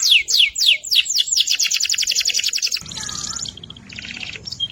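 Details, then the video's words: Energetic AFS canary song: a run of quick downward-slurred notes merging into a tight high trill, followed by softer buzzy rattling phrases over a low background rumble. "kenari afs gacor"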